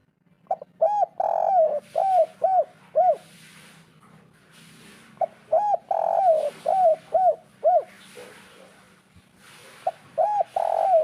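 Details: Spotted dove 'kuk 3' local natural call used to get birds singing: repeated cooing runs of a long slurred coo and quick rounded coos, with soft hissing in the background.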